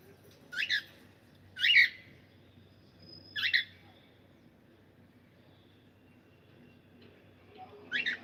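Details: Male cockatiel giving four separate squawky chirps. Each is bright and rising, spaced one to two seconds apart, then a long quiet pause before the last chirp.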